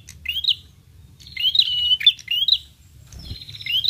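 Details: Prinia lure call meant to draw a response from prinias: thin, high rising chirps followed by a stretch of buzzy, rattling trill and more chirps, with a soft thud near the end.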